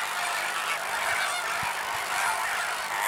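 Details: A dense colony chorus of lesser flamingos in the Camargue, France, where a pair nested with a chick for the first time since 2001: many overlapping nasal, goose-like honks and gabbling calls merge into a constant, even din with no pauses.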